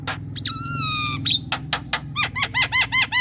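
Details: Javan myna song used to lure young mynas into calling: a flat drawn-out whistle, a few harsh notes, then a fast run of repeated arched chirps, with a low hum behind.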